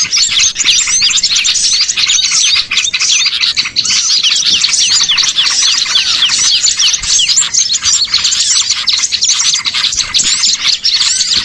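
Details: Lure recording of small birds used in Indonesia to attract birds for catching: a dense, unbroken chorus of high, sharp twittering chirps and quick rising notes from many birds at once, with no pauses.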